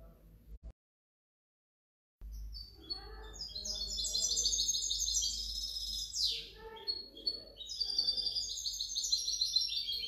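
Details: Goldfinch hybrid (2019–2020) in a long, loud run of fast twittering song: tumbling high trills and chirps, a downward-sweeping rasp midway, then more rapid liquid warbling; slight low hum in the background.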